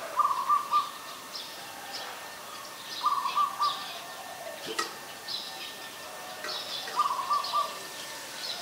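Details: Ashy Woodswallow, a very common resident, recorded in Ubon Ratchathani, Thailand, on 20 October 2021. Short, clipped bursts of three or four quick notes come about every three seconds. Faint higher bird notes sound in the background.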